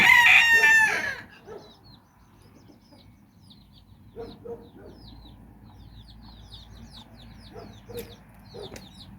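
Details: Domestic hen exploring with her nine chicks in Bizkaia, Basque Country: one loud, harsh, ringing call opens, then quiet low clucks and scattered high descending chick peeps follow across the rest.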